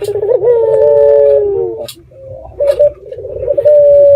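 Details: Red-eyed dove lure call to draw replies from other doves: a long rolling coo that sinks slightly, a brief pause, then burbling pulses rising into a clear, level, held note.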